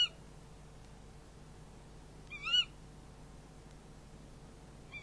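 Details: Barn owl at the nest, recorded by a night nest camera during a prey handover: one brief harsh, wavering call near mid-clip, with faint call fragments at the very start and end over steady low hum.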